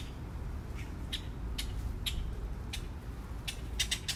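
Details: Magpies in a park giving scattered harsh, raspy squawks, short noisy bursts spaced irregularly, ending in a quick run of three, over a constant low background hum.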